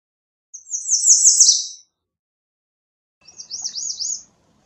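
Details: Two high, sibilant song phrases from an American redstart, the first a longer buzzy run of rapid notes, the second a series of quick looping slurred notes, separated by a pause.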